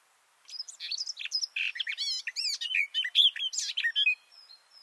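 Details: Close-miked male garden warbler in a bush: a rapid, liquid warble lasting about four seconds, mixing mellow whistles with quick chattery notes, trailing into a soft thin note at the end.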